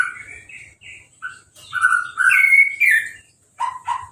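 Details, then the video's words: Orange-headed thrush in a cage, just moulted, singing after a hose bath with no cover; varied whistled phrases rising to a loud warbled stretch, then two short lower notes. "Anis Merah Sehabis Mabung Mandinya Disemprot Selang , Gak Pakai Kerodong , Bisa Langsung Berbunyi"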